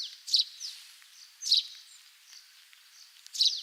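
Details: Russet sparrow song, recorded in Hokkaido, where the species mostly breeds: short high chirped notes given about once every 1.5 seconds, each with a brief downslurred note beside it, over steady high background hiss.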